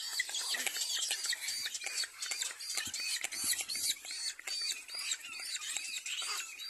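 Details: Little black cormorant at its nest, giving rapid, overlapping squeaky notes, each a short arched chirp repeated several times per second in a steady chattering stream, with hissy background noise throughout.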